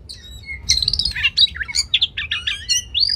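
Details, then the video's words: Brief Oriental magpie-robin masteran phrase for training competition birds. A soft high whistle leads into a quick sequence of sharp, warbled notes that rise and fall in rapid succession. "Masteran Kacer Spesial untuk Burung Lomba"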